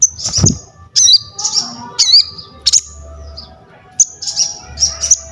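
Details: Crested jay calling vigorously as bird-training material: a series of short, sharp, high whistled notes with quick upward and downward flicks, spaced about a second apart, over a faint low hum.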